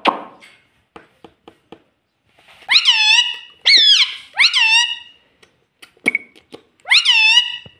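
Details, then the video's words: Domestic talking parrot that repeats "mummy": scattered soft clicks, then four loud, squeaky, nasal word-like calls, each swooping downward, separated by short pauses, in a quiet room. "Talking Parrot Mitthu Mitthu Tota || Mummy Mummy Bolne Wala Mitthu"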